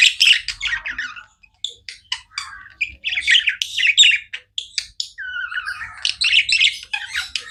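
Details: Pet budgerigars twitter in clusters of short, clicky chirps and squeaks, separated by brief silences, ending with a smoother warbled phrase and rapid chatter.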